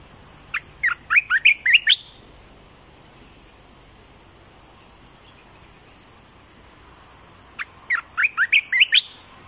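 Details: Caged olive-winged bulbul used as a decoy for trapping birds gives two short bursts of bubbly, rapidly alternating whistled notes, one near the start and one near the end, separated by several seconds of quiet.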